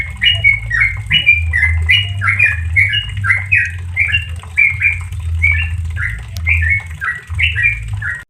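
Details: Relaxed ropel song of a trucukan, the yellow-vented bulbul, used as tutor audio for caged birds: a dense, rapid run of bright chirps and slurs, with a faint steady hum in the background.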